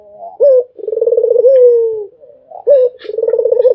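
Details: Barbary dove cooing nonstop: a short sharp note, a fast rolling pulsed coo, then a long smooth note sliding slightly down, with the next phrase starting.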